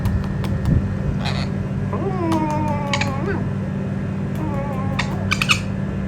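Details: A pet sun conure makes wavering, voice-like talking notes over a steady background hum, in a session where it is coaxed to talk.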